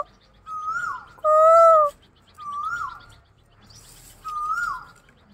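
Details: Asian koel (koyal) said to be getting irritated: three clear whistled notes, each rising and then sliding down, about every 1.8 seconds. Between the first two comes one loud, steady, flat whistled tone.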